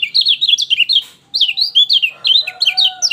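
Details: Lemon-bellied white-eye song, played to stimulate a bird reluctant to sing: rapid high twittering phrases of sharp downslurred notes, a short pause, then more twittering over a faint steady drawn-out crowing tone in the background.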